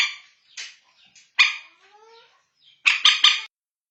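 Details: Bantiung (common moorhen) in a night-luring recording (manyapung): a few quiet croaks and one loud harsh bark, followed by a rapid three-note rasping burst.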